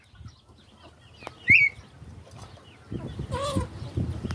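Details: Red-winged tinamou (perdiz) giving one loud whistle that rises sharply and ends in a short slurred tail, with faint distant birdsong behind and rustling and bumping noises near the end.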